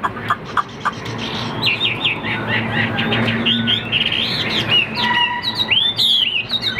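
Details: A big-bodied hwamei kept in a cage for sale, noted for its singing and fanning when fighting, gives a varied stream of warbled whistles, some brief sharp notes, and a long looping phrase near the end.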